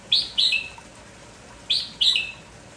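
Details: Morning song of a lively village red-whiskered bulbul calling nonstop: two pairs of sharp, bright chirps, each note quickly falling, the pairs spaced about a second and a half apart against a quiet background.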